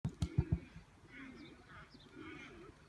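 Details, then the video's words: Male emu in an animal park just outside Melbourne, Australia, giving his usual low rumble: four deep, thudding pulses in the first half-second, followed by soft human voices. "Emu making noise"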